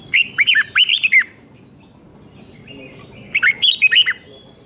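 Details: Two phrases of red-whiskered bulbul song about two seconds apart, the doubled five-syllable pattern meant for teaching young birds; each is a rush of chirpy, rolling whistles.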